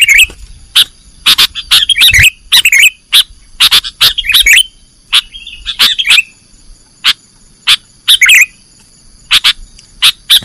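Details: Sooty-headed bulbul singing in the 'nggaruda' style, a master recording for training cage birds: loud, bright chirping phrases repeated in quick bursts, some rolling and warbled, over a constant thin high-pitched whine.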